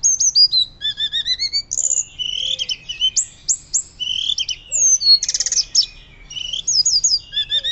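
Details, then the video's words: Hill blue flycatcher in full, loud fluting song for training other birds: a long, varied stream of high whistles, rising and falling slurs and brief rattling bursts, almost without pause. "Tledekan Gunung Gacor Nyuling Keras"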